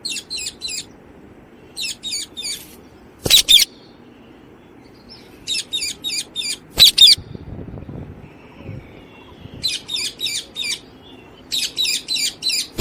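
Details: Alexandrine parakeet calling with grating, buzzy screeches grouped in threes and fours, repeated every few seconds, broken by two sharp loud shrieks and quiet low background rumble.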